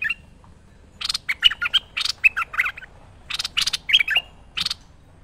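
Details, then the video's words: Merbah lekir bulbul in a master recording for training: two chattering phrases of quick, liquid whistled notes interspersed with harsh, buzzy chips, separated by a short pause. "Merbah Lekir Gacor Masteran Terbaik"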